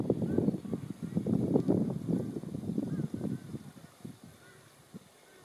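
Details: At the Western Treatment Plant, Werribee, Victoria, Australia, on 7 March 2022, with teal and Black Swans present, an Australian shelduck gives a rapid series of low, nasal honks, several each second, trailing off after a few seconds over a faint hum.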